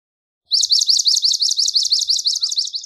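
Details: Swamp sparrow song of sharply slurred high notes repeated in a quick, regular trill, about six per second, continuing to the end of the recording in a quiet setting.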